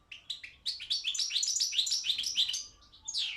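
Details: Caged Balkan goldfinch at a song competition: an unbroken stream of quick, liquid twitters and tinkling descending notes, ending with a higher sharp chirp.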